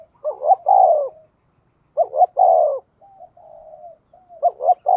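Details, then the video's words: Spotted dove call, "giọng thổ" style, played to lure wild doves: repeated phrases of a quick two-note coo then a long, drawn-out falling coo, about every two seconds, with a faint extra coo between. "cu gay kich boi nhanh noi gù, tiếng thúc cực đỉnh"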